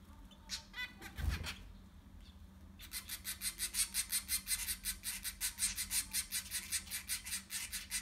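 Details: In a nest of six zebra finch chicks, a few scattered squeaks are followed by a steady, fast train of sharp, high, clicking calls that repeat several times a second until the end.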